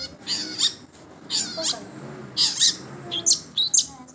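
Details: Long-tailed shrike, recorded as a sound test, giving rasping high-pitched chatter in short separate bursts about every second, each burst scratchy and noisy, with a soft low background murmur.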